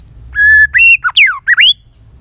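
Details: Many-voiced white-rumped shama song meant to excite birds into singing. A long, level whistle is followed by a rapid run of swooping, downslurred and upslurred whistled notes.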